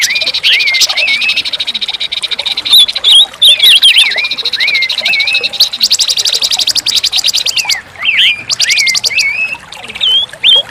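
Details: Orange-headed thrush song: a long run of whistled, swooping phrases, some rising, some falling, repeated every second or so, against a steady high-pitched buzz with pulsing bursts.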